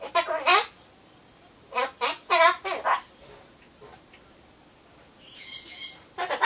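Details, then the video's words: A pet Ducorps's cockatoo (Solomons corella) talks to itself while waiting for pumpkin, in short speech-like bursts with raspy harmonics, seemingly saying "bye-bye, I'm off; see you", with a brief higher whistle and more mumbled talk. "ソロモンオウムたろちゃん カボチャを待ってる間のひとり言"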